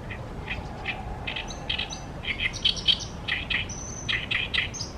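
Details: Oriental reed warbler song by the Tama River, with scratchy grating syllables and short squeaky notes in irregular clusters that grow louder midway, over a constant low background hum.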